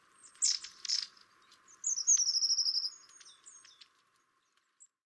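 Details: Two long-tailed tits visiting garden feeders in winter, filmed from over 40 feet through double glazing: two harsh buzzy notes, then a quick, high, slightly falling trill of about a dozen evenly spaced notes, fading into quiet.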